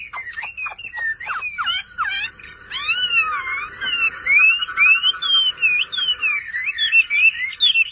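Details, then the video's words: A hobbyist's kept Chinese hwamei pours out a rich, varied song of loud whistled slurs, rising and falling sweeps and rapid trills, phrases tumbling quickly one after another. "HỌA MI CỦA AI MÀ HÓT QUÁ ĐỈNH ANH EM ƠI"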